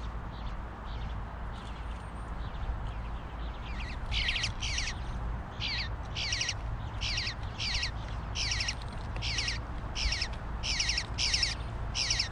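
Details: Bluebird fledgling, male, demanding food. Quiet low rumble for four seconds, then harsh, buzzy, rasping bursts repeated rapidly and unevenly, about one per half second, over steady low background hum.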